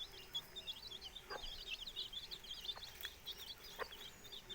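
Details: Four-day-old chicks with their hatching hen: a steady stream of high, wavering peeps, with a few faint, soft clucks underneath.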